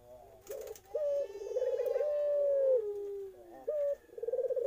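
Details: Young Eurasian collared dove with a series of coos: short clipped notes, a long gently falling tone lasting nearly two seconds, then rapid pulsing hoots.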